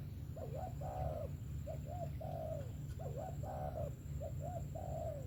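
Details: Sấm thổ style cooing of a spotted dove, 'về tàng kèm 123': a short hoot, a long warbling note, then two quick soft coos and a long falling note, repeated twice over low hum.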